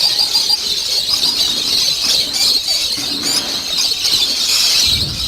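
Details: Hundreds of lovebirds, a farm of 800 breeding pairs, keep up a steady wall of piercing, high-pitched squeals and chirps, with faint low thumps and handling noise near the end.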